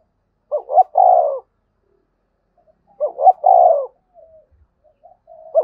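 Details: Cooing of a spotted dove, 'gáy gọi' and 'gáy thúc' calls meant to make wild doves call back. Two phrases about two and a half seconds apart, each a pair of quick rising notes and a long mellow coo, then faint murmuring.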